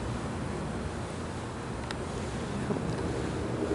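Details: Steady wind roaring across the microphone, with a dull rushing hiss and no clear animal voice.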